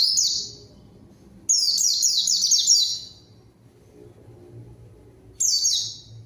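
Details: High, quick, falling twitters from a white-eye, a lure for summoning a rival and starting silent birds singing, delivered in separate bursts with quiet pauses between.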